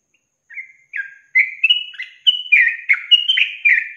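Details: Yellow-vented bulbul in a long-trill ('ropel panjang') training recording for songbirds: a run of short, bubbly, slurred notes climbing and falling in pitch. They start sparse, then come quickly, about every third of a second, with no other sounds.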